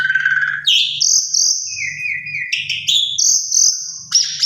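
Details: Lure song of an Asian pied starling, used to provoke other Asian pied starlings into responding: a long, steady high whistle, a lower flat whistled stretch, then abrupt harsh rising notes over a soft low hum.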